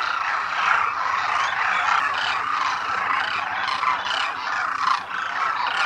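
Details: Demoiselle cranes, Koonj in the local name, wintering in great numbers at a lake near Khichan in Rajasthan's Thar Desert, India; a continuous wall of grating, bugling calls from the flock with no pauses.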